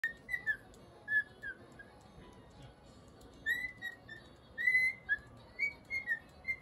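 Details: A cockatiel cheerfully whistles its attempt at the tune Funiculì, Funiculà in clear, bright notes that slide up and down, in short phrases with brief pauses. The room is otherwise quiet.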